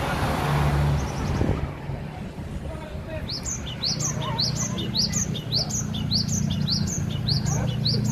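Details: Aceh cinereous tit singing vigorously in a cage hung high at home: after a short pause, a long steady series of sharp, high, rising notes repeated about twice a second for five seconds, over low continuous rumbling noise.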